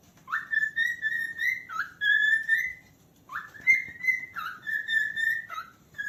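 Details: Cockatiel whistling loudly with sustained, pure tones that start with a sharp upward slide, hold steady, then break into a lower note. Phrases repeat after short pauses.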